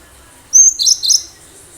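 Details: Wild-caught cinereous tit in lively song, used to attract other birds, producing a brief burst of very high, thin whistles followed by quick descending chirps.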